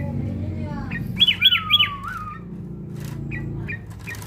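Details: Sooty-headed bulbul sound used to train fighting spirit: a quick run of three loud, sharp chirps and a gliding whistle. Softer scattered notes follow, over a low rumbling background.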